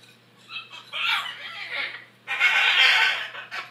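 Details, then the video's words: Noisy macaws, described as aggressive, giving harsh grating squeals that build to a long loud screech in the second half. "Noisy macaws"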